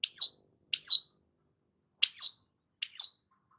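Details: Four high, squeaky double-noted calls from a long-tailed shrike, each a sharp start then a downward slur, repeated every second or so, faint thin whistles between.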